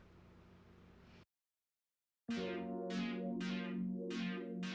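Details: Faint low hum, a second of silence, then synthesizer music with bright chords pulsing about four times a second; no animal voice.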